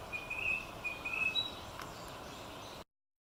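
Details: Narcissus flycatcher singing in 2018 while catching food; a few thin, clear whistled notes held at fairly steady pitch, faint and short-lived over a steady outdoor hiss, ending in silence.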